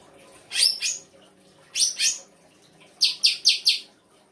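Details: Songbird singing 'isian' fill-in song: two pairs of rasping high chirps, then a quick, evenly spaced series of four clear, bright high notes.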